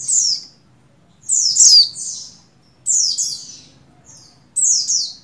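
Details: Female Oriental white-eye, buxtoni form, in breeding condition summoning a male. Shrill descending chirps come in doubled and tripled bursts about every one and a half seconds over a faint low hum.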